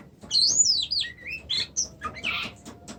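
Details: Brief Oriental magpie-robin phrase: a high sweeping whistle falling and rising in loops, followed by a lower slurred note and a harsh buzzy ending.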